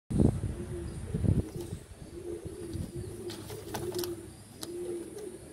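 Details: A black fantail pigeon gives low, rolling coos that swell and fade over several seconds, with a few dull thumps and soft rustling at the start.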